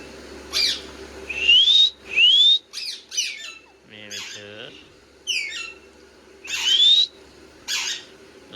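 A pet parakeet gives harsh squawks and rising whistled calls, several in a row over eight seconds, with a brief low human voice in the middle.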